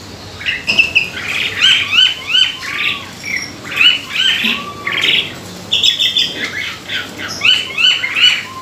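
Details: Jalak suren (Asian pied starling) singing mimicked phrases to draw other birds into song: repeated bursts of rich, chattering notes with sharp upslurred whistles, and low whistled notes between.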